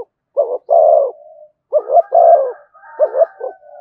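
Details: Spotted dove giving the "giọng thổ" coo with "thúc" and "kèm" phrases. Two quick notes lead into a long mellow coo. A second phrase repeats it, and a fainter, higher drawn-out tone overlaps near the end.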